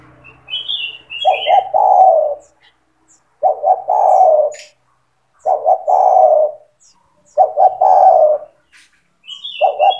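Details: Spotted dove singing vigorously, meant to train young doves: five repeated low phrases, each two or three clipped coos then a long falling coo, about every two seconds, with high twittering trills from small birds at the start and end.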